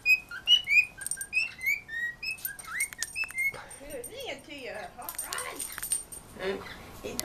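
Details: Pet birds talking to the household dog; clear rising and falling whistled notes repeat for about three seconds, followed by lower warbling, sliding sounds and scratchy noise mixed with other household sounds.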